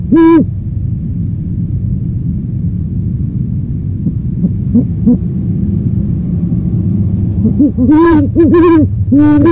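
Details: Owl on a live nest camera, a brief hoot at the start, then low rumbling background noise, followed near the end by a cluster of harsh wavering hoots.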